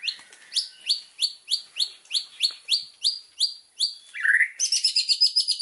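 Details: White-rumped shama master song, full of fill phrases, for training birds: a steady series of bright upswept notes repeated roughly every third of a second, a lower slurred note, then a rapid high trill.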